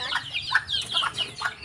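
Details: Red junglefowl, many of them free-ranging in a backyard, giving short harsh clucking calls: about six quick rough notes in under two seconds, with faint chatter from other birds behind.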